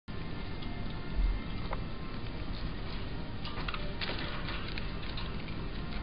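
Only a low indoor rumble with faint ticking and scattered clicks is heard; no animal voices stand out.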